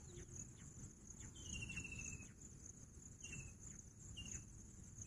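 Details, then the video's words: Bush quail giving three buzzy, slightly descending whistled notes at uneven intervals, the first longest, with constant high-pitched insect drone and low background rumble. "Bush Quail sound Pahadi Bater"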